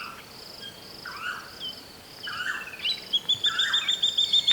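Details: Levaillant's cuckoo at Shingwedzi Rest Camp, Kruger National Park, calling loud, harsh, quickly repeated notes ending in a fast chattering run; a water thick-knee whistles in the background, with a faint insect hum; owls calling in camp.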